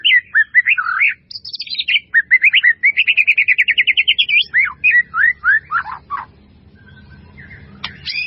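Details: White-rumped shama pouring out a melodious master song full of fill-in phrases: varied whistled slurs, a fast even trill of rising notes, sweeping descending whistles, then a quieter ending.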